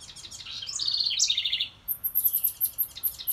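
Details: Wren singing near a birdhouse: a quick burst of high chips runs into a bright, trilled phrase that steps downward, followed by a string of thin, very high sharp notes.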